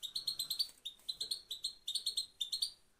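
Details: European goldfinch, Afghanistan, sound used to motivate male birds: quick runs of high, slurred twittering notes, about four or five per second, in three short phrases with tiny gaps, over a quiet background.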